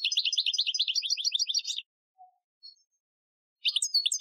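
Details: European goldfinch, Algerian training song, 2015: a brisk run of sharp twittering notes repeated rapidly for nearly two seconds, a silent gap, then a new twittering phrase begins.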